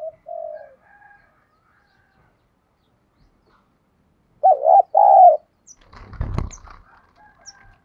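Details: Decoy spotted dove, thổ-voiced, goading wild doves to fight: a brief faint coo, then a clear low two-note coo phrase, followed by a loud rattling clatter of handling noise.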